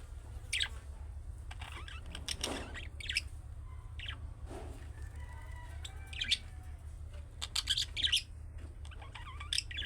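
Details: Budgerigars giving chick-style calling chirps that pet budgies answer: sharp high chirps and short squawks at irregular intervals, some in quick clusters, over a steady low hum.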